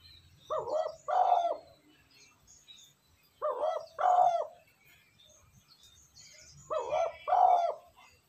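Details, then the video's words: Spotted dove cooing, used to excite decoy birds: three low, mellow phrases, each of two or three hollow coo notes, repeated about every three seconds, with faint high chirping of other birds in the background. "Tiếng cu gáy kích bổi nhanh nổi"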